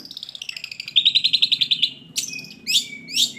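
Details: Long-tailed shrike song for stimulating silent shrikes to sing: a quick run of about a dozen evenly repeated high notes, then sharp chips and thin whistled slurs.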